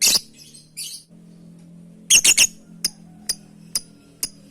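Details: Lovebird calling companions: a sharp shriek and softer chatter, then a quick triple screech followed by four short evenly spaced chips, over a low steady hum.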